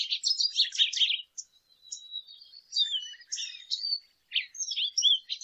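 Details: Lesser goldfinch song: a fast chattering burst, then a thin sustained whistle followed by varied twittering phrases and slurred high notes.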